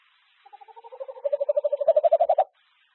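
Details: Tawny owl of a courting pair resuming courtship at Ash Tree, filmed 6 February 2025: a soft, low, bubbling trill of rapid pulses that swells steadily louder over about two seconds, then stops abruptly in a quiet setting.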